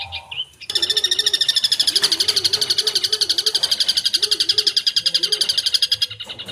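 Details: Long-tailed shrike singing full-fill song: after a few short notes, a sustained torrent of fast buzzy trilled chatter lasting over five seconds, with lower wavering whistles sounding beneath it.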